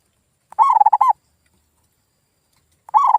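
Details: Zebra dove lure call: a rolling phrase of soft, throaty coos, silence, then the start of the next phrase, used to get silent local birds calling again.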